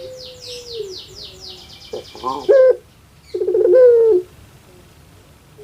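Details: ['Kept puter pelung dove from Java, Indonesia, whose voice is likened to a crying baby: rough stuttering notes leading into a long wavering coo, with rapid high chirps from another bird at the start.']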